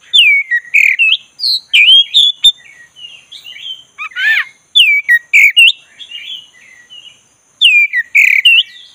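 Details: Black-breasted magpie-robin singing in relaxed 'ngeroll' fashion to provoke a dull bird into song: nearly continuous bright, curling whistles repeated in rapid phrases, one harsh buzzy note at mid-point, and a brief quiet gap before a final burst.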